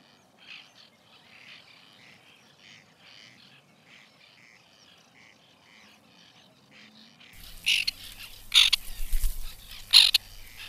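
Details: White-winged terns calling at their nesting colony, recorded in 2021. A soft, distant chorus of repeated rasping notes gives way to several loud, close, grating calls near the end, with a low rumble underneath.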